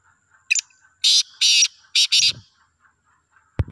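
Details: A free-roaming black francolin gives a loud, harsh, grating phrase: a short lead-in note, then four rasping notes in about a second and a half, followed by a thump.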